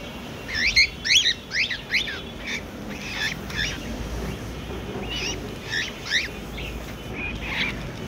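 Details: Angry pet cockatiel giving a rapid series of short, harsh, sharply rising chirps, clustered and loudest early on, then sparser and fainter, with a faint background hiss.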